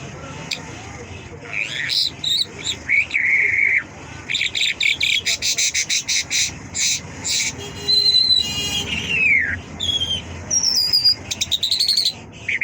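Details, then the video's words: Extended Mashhadi lark singing: rattling strings of clicks, slurred descending whistles and sweet high twittered notes, tumbling together in a varied, energetic sequence. "Mashhadi lark singing مشہدی جل"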